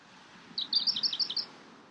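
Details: Pink robin giving a single short, high trill of about nine quick, sharp, clipped notes lasting under a second, over a quiet background.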